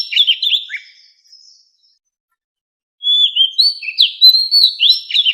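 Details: White-rumped shama singing a standard forest-voice song meant for training captive fighting birds: a burst of clear, varied whistled notes with quick slurs, a pause of about a second and a half, then a fuller run of bright rising and falling whistles.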